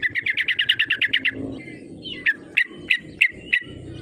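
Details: Yellow-vented bulbul lure calls aimed at goading rivals to call: a fast, even run of about thirteen bright chattering notes, then five separate sharp chirps spaced roughly a third of a second apart.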